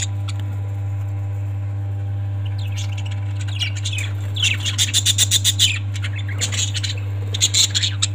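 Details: Parrots chattering with harsh squawks and a fast run of repeated sharp chirps, backed by a constant low electrical hum.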